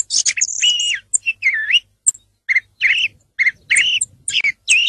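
A song thrush sings short, varied phrases of clear whistles mixed with scratchy notes, several brief phrases repeated in quick succession with short pauses between.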